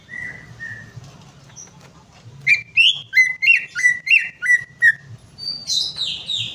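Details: Greater green leafbird song meant to stimulate a bird that will not sing: two soft whistles, then a steady series of about eight loud downslurred whistled notes, closing with a high, complex warbled phrase.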